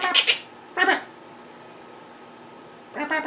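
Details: Pet monk parakeets calling indoors while their owner edits at a computer: two short harsh, buzzy squawks close together, a single squawk after a pause, then another pair near the end, over quiet room hum.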